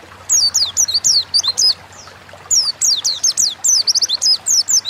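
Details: Oriental white-eye in energetic 'ngalas'-style song for training caged birds: two bursts of rapid, very high chirps that sweep downward, split by a quiet second-long gap, with a low hum in the background.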